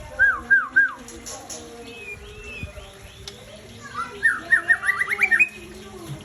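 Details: Aceh white-rumped shama, a breeding bird, sings two bursts of loud whistled notes: three looping slurs at the start, then a fast rising series of sharp whistles, with quieter chirps between.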